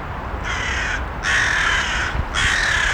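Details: Crow calling three times: coarse, nasal caws, each lasting under a second, with brief gaps between, over a steady noisy background.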